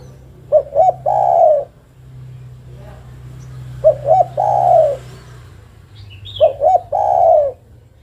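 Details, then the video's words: Female spotted dove calling her mate with three phrases of two brief coos leading into a long falling coo; a faint high chirp from another bird and a low hum sit in the background. "Suara burung derkuku betina memanggil jantan"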